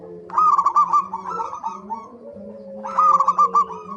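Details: Zebra dove singing as a lure so birds sing often: loud, rolling strings of quick coo notes in two bursts, with softer overlapping coos and a low steady tone between them.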